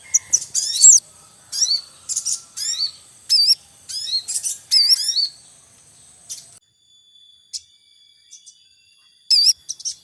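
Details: Javan munia in the wild with chicks at the nest, a male calling: busy runs of high, sharp cheeping chirps in repeated bursts for about six seconds, then quieter scattered notes and one last burst.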